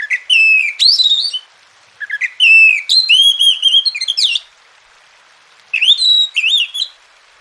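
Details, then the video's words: Three separate bursts of Oriental magpie-robin song from a masteran track for birds reluctant to sing, each made of loud, clear sliding whistles and rapid notes, with quiet gaps between them. "Masteran dan Terapi Kacer Malas Bunyi Jadi Gacor"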